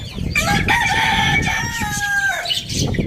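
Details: Rooster crowing in the morning in a farm village: one loud, drawn-out crow of stacked harmonic tones. It holds fairly level for nearly two seconds, then drops at the end over low rumbling background noise.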